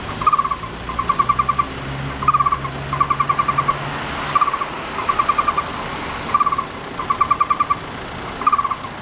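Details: Taiwan barbet fledgling, 28 August 2013, lying at its nest hole about 2 m up a roadside camphor tree near the National Palace Museum and waiting for its parents to feed it. It gives quick bursts of three to seven hollow, even notes, while traffic rumbles low.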